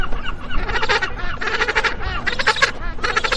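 Magellanic penguin giving loud, braying honks in harsh bursts about every second, with rough low rumbling noise underneath.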